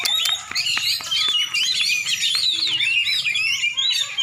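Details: Oriental magpie-robin, a champion bird from Aceh, Indonesia, singing a continuous torrent of high twittering and slurred whistles, with a few clicking taps early on.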